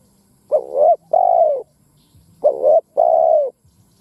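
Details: Caged decoy spotted dove giving its crowing call to stimulate other doves. Two matching phrases, each a warbling, dipping note followed by a longer, even, gently falling coo, about two seconds apart.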